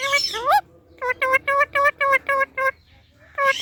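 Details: Indian ringneck parakeet, a talking parrot, repeating a nasal, honking note about seven times in steady rhythm, close to four per second, after a rising squawk, with one more call at the end.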